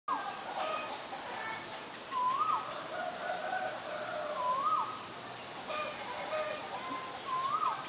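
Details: Asian barred owlet calling: short whistled notes that slide upward, given about every two and a half seconds, with fainter tonal sounds and a steady noisy background between them.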